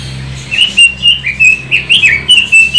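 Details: Pekin robin (Leiothrix lutea), a bird from China once popular in Indonesia, singing a quick run of clear whistled notes, each note rising and dipping, delivered in an even series of about ten phrases in under three seconds over a faint low hum.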